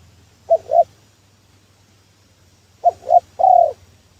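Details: Spotted dove cooing as a lure for trapping; two short low coos, a pause of two seconds, then two short coos and a longer drawn-out coo, over a faint low hum.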